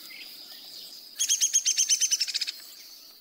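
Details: Single descending whinny of a Downy Woodpecker, a fast rattle of about fifteen sharp high notes lasting just over a second and sliding gently downward, the notes quickening toward the end, against a constant high background hiss.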